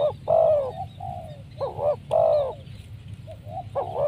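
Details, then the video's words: Spotted dove call used to lure wild doves: crisp, rising-and-falling coos in short bursts, with a long mellow note between quick doubled notes, over a steady low rumbling hum. "Mikat tekukur,, sibanggo Poin suara mersik..."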